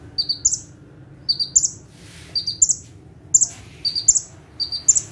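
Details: Bar-winged prinia (prenjak tebu) sitting calmly on one perch, delivering lively tembakan song; repeated shrill two-part phrases, quick high chips then a ringing twitter, about six phrases in five seconds, with a brief rustle midway.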